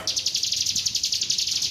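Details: High, rapid rattle of evenly spaced piercing notes from an East Javan hill prinia singing roll tembak style, clean and loud with little background.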